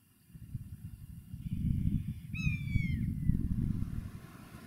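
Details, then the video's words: Mewing call of a common buzzard on the wing, seeking a mate: a single clear, falling, plaintive whistle under strong rumbling wind noise. "BUZZARD Sounds In flight Calling for a Mate MEWING"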